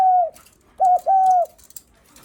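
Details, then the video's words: Greeting coo of a spotted dove, said to call when visitors arrive at the house. A long even hum-like coo is followed by a clipped short note and another drawn-out level coo. "Tiếng Chim Cu gáy khách có khách đến nhà là gù cực chất cu gáy chào khách"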